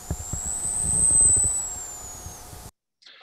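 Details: A male Costa's hummingbird makes his courtship dive sound with his tail feathers: a thin, very high whistle that slides up, holds, then falls over about two and a half seconds, above a low rumble; Costa's hummingbird.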